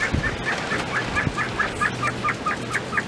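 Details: Captive mountain quail in their pen while eating treats, giving a steady run of short, soft two-part chirps, about twelve in three seconds, over a low steady electrical hum.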